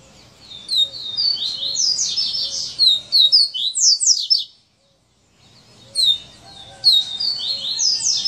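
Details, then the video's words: "Serra elétrica" song of a coleiro: rapid bursts of high, buzzy, sliding notes that break off into a short silence, then resume with the same sharp, tumbling phrase. "Coleiro Serra elétrica"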